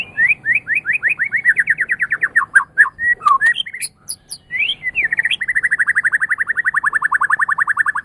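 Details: White-rumped shama kept as a pet, singing a training master song: rapid repeated slurred notes in a long trill, a short burst of mixed whistles and high chips, then another fast, even trill of repeated notes.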